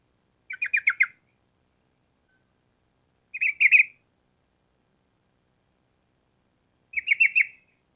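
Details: Sooty-headed bulbul singing gacor, vigorous rolling song: three brief bubbly bursts of four to six quick warbled notes each, separated by about three seconds of silence.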